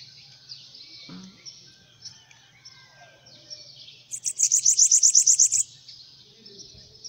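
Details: After several seconds of faint, wispy high notes and a brief thump, a hand-held bananaquit bursts into a rapid run of about ten sharp, very high ticking notes lasting a second and a half.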